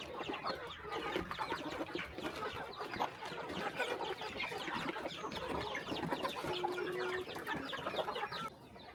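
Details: Chickens crowding at feeding time on a quiet rural farm in the morning, a thick, steady wash of chattering clucks and chirps that drops away abruptly near the end.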